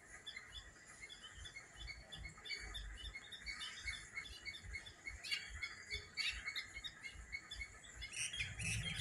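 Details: Morning chorus of many birds: dense overlapping chirps, short twittering notes and squawky calls, high-pitched and continuous, growing livelier toward the end, over a steady low rumbling background noise.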